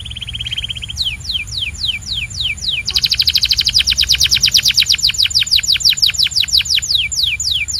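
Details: Belgian canary song opens with a short even buzzy trill, moves to evenly spaced falling whistles, then a long loud rapid rattle blended with repeated downward notes.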